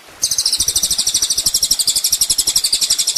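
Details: Ninja sunbird on a master track used to train songbirds, delivering an unbroken, very high, rapid pulsing trill with thin buzzy notes roughly four per second, over low background clicks.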